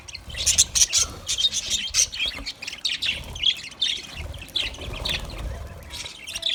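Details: Feeding budgerigars give a steady stream of sharp, high chirps and scratchy squawks in quick bursts, a flock chattering over faint low background rumble.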